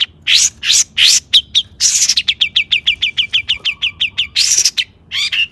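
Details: Energetic long-tailed shrike song meant to provoke singing in other shrikes: a few raspy harsh notes, then a rapid string of quick downslurred chirps, then more rasps.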